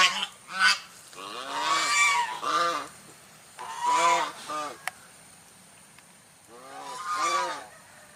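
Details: White swan calling in repeated nasal honks, grouped in twos and threes about every two to three seconds, harsh and harmonic, with a short click and steady hiss in the background.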